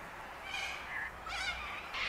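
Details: Sulphur-crested cockatoos at Bundanoon station, Australia, June 2021: three rasping, grating screeches spaced roughly every half second, moderately loud over low background rumble.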